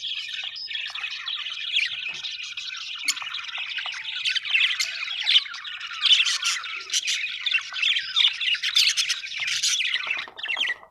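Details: Budgies giving a dense, continuous warbling chatter of scratchy chirps and squawks that builds in loudness over eleven seconds, with no break and no other sounds.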